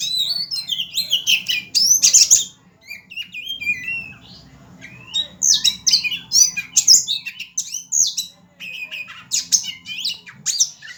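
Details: A male Oriental magpie-robin (kacer) sings a rich, varied stream of high whistles, trills and harsh chattering notes in quick bursts in a fighting style, said to imitate a hummingbird/sunbird, over a faint low indoor hum.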